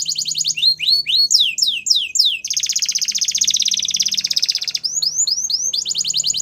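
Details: Male Belgian canary singing: rapid series of rising and falling whistled sweeps, then a fast buzzy trill near the middle, followed by more swept notes, all high-pitched and loud.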